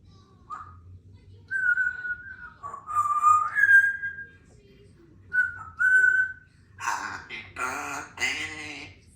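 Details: Three-year-old female Congo African grey parrot, a talkative indoor pet sharing a home with two other parrots, gives short clear whistles, some rising and some level, then a burst of harsh, noisy squawking notes.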